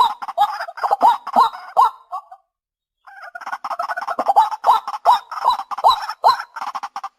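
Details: White-breasted waterhen lure recording. Fast, harsh, rhythmic croaking notes with repeated upslurred honks, then a brief pause, then the chattering series starts again.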